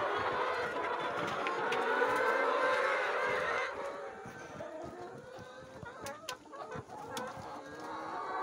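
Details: Several farm chickens kept in a cage call while following a visitor around it, apparently hungry. Loud, sustained, wavering calls from the group fill the first half, then grow quieter. Sharp clicks and knocks sound in the background.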